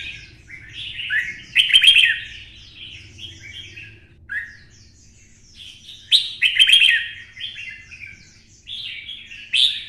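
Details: Caged red-whiskered bulbul with a twisting-style voice, stimulated to sing for fighting: bright warbled phrases sliding between mid and high pitch, loud bursts near the start and middle, with softer quick notes between and a faint low hum beneath.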